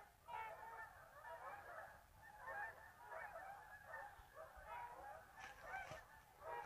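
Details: After a midday siesta, geese leave the marsh to feed in the afternoon: an unbroken chorus of overlapping nasal honks from many birds, rising in loud surges, a few higher clipped notes near the end.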